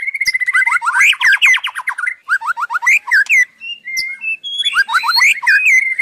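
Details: White-rumped shama singing on and on: a level whistle, dense rapid trills of rising strokes, scattered clear whistles, then another burst of fast rising notes.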